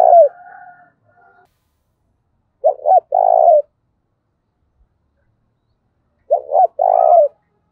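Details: Spotted dove calling to provoke fighting in thổ pha voice style, stirring a decoy to call fast: a phrase cut at the start with faint higher tones, then two full coo phrases of short notes and a long coo.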